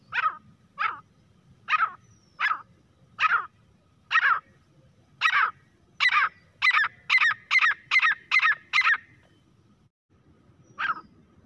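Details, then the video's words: Grey francolin (teetar) calling: harsh notes starting slowly and irregularly, then speeding into a rapid regular run of about ten loud clipped notes, a pause, and one final note, with low background hum. "teetar ki awaaz-तीतर की आवाज | grey francolin partridge calling voice"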